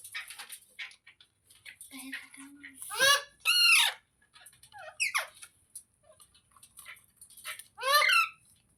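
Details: Parrot calling indoors: loud harsh squawks with stacked harmonics around three and eight seconds, mixed with softer chattering, squeaky notes and a short low tone; a faint high hiss runs throughout.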